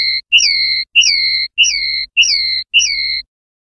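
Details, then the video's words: Common linnet singing in the clean 'pardillo limpio' style, 2021/2022: six clear whistled notes, each with a quick upward flick then a level tone, about every 0.6 seconds. The background is otherwise silent. "PARDILLO LIMPIO 2021/2022"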